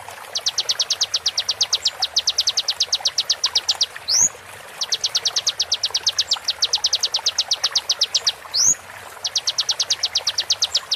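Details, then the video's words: Konin tutoring song, slowed for training songbirds: three runs of rapid high-pitched strokes, the first two ending in a quick rising whistle, with short pauses between runs. "MASTERAN KONIN FULL ISIAN TEMBAKAN TAJAM"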